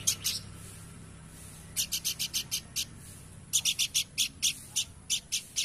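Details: Three groups of quick, dry, high-pitched rasping notes from a Horsfield's babbler, the later groups longer at six to eight notes, against a soft low hum.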